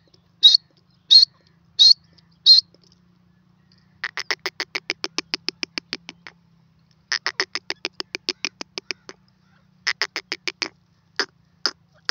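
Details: Free-roaming grey francolin (teetar) calling: four loud, high, sharp notes, then long trains of fast, ticking pulses broken by short pauses, ending with spaced single notes. Background otherwise quiet.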